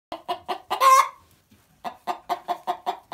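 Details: Barred Plymouth Rock hen giving her egg song after laying: a run of evenly spaced clucks, a loud drawn-out squawk, a short pause, then steady repeated clucks about five per second.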